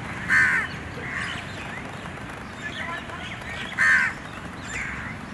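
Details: Young bird chasing its mother for food in the morning: two loud, harsh, raspy calls about three and a half seconds apart, with softer scratchy calls between and after, over steady background hiss.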